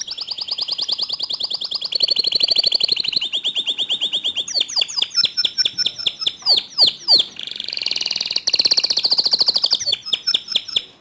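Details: Canary singing to draw other canaries into song: long varied phrases of rapid trills, rolling notes and sharp downward-sweeping chips, changing tempo every second or two, loud and close throughout.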